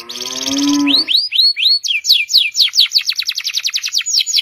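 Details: Canary gacor panjang masteran song opening with a lower, nasal harmonic-rich squeal, followed by looping rising whistles and a quick run of sharp repeated sweeping notes.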